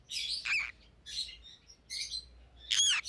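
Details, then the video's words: Rosy-faced lovebirds, a white-headed pallid opaline and a white-headed green opaline kept as pets, giving a few harsh broadband chirps with rising and falling squeaky notes, separated by short pauses. "Rosy-Faced Lovebirds - Chirping and Call Sounds"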